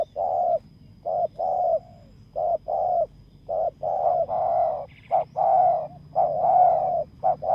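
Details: Spotted dove used as a decoy to lure a rival on open ground, giving a steady stream of low mellow coos, some clipped and some extended and wavering. Faint small-bird chirps join near the end.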